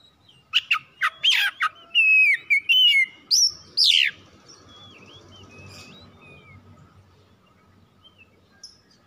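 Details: Captive oriental magpie-robin (kacer) song used as a lure to get birds singing. Clipped chirps, then bright whistled slurs for about four seconds, followed by faint scattered notes over a soft background hum.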